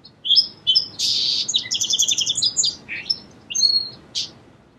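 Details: Song sparrow song: two or three short whistled introductory notes, a harsh buzz, then a rhythmic run of evenly spaced paired notes, ending with a few sharp chips and a final buzzy burst.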